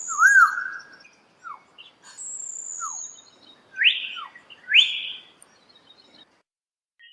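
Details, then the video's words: Common hill myna giving loud, varied calls: a rich, bending whistle, short downslurred notes, and two harsh upward-swept shrieks, with a high thin whistle between them. "សំលេងសារិកាកែវ100% Sound of Hill Myna real 100%"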